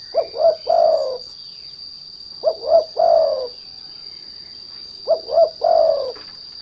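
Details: Trained spotted dove cooing as a lure for other doves: three evenly spaced low phrases, two short rising hoots followed by a longer descending croo, repeating about every two and a half seconds against a continuous thin electronic tone.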